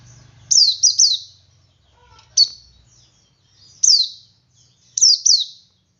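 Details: Male Oriental white-eye giving ngalas song meant to set other white-eyes singing. Thin, high-pitched downward-sweeping chirps come in small clusters of two or three, with a lone note between groups and brief pauses.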